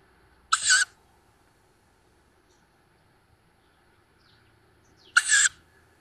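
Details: Recently fledged tawny owl young at a nest in woods on the edge of Szokolya, Hungary, recorded by nest camera on 7 May 2022: two short, harsh, hissing screeches about four and a half seconds apart, otherwise near silence.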